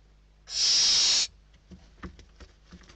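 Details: Hungry barn owl chicks inside a nest in Spain fight over a delivered bird, 21 December 2023: one loud, harsh, rasping hiss lasting under a second, followed by faint scratching and tapping.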